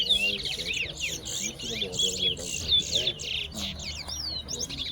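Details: Chestnut-bellied seed finch (Sporophila angolensis) song at a bird whistling competition in Tuschen, Guyana: rapid, sweet warbled whistles and twittering runs, high-pitched and nearly continuous, with faint murmuring voices behind.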